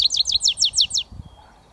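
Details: Goldfinch mule, a British finch hybrid, giving a switty song fragment of six quick, evenly spaced, high, sweeping chirps over about one second, then quiet.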